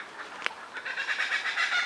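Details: A kookaburra in a large tree in a local Australian park breaks into its laugh, a fast run of harsh, cackling chuckles at mid pitch building over about a second, with a single sharp click just before.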